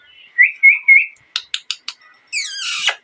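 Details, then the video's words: A parrot gives three rising, slurred whistles, then four quick clicking chirps about a quarter-second apart, ending in a long, rough, descending screech rich in overtones. "Loud Parrot Noise #3 | Natural Parrot Sounds | Parrot Calling Sounds"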